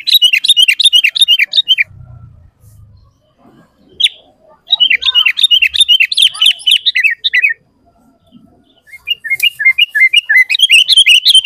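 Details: Sooty-headed bulbul song meant as a lure to set other bulbuls singing: three bursts of fast, evenly paced chirping notes swinging up and down, with quiet pauses and faint low thumps between them.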